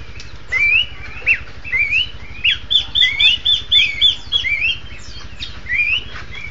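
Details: Duetting Horsfield's babblers give loud, clear rising whistles in quick succession, several phrases a second in bursts, with a faint low hum beneath.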